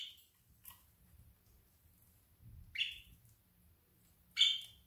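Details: Budgerigars of a flock in the afternoon: three short, scratchy chirps spaced irregularly over five seconds, separated by near silence with a faint low hum in the background.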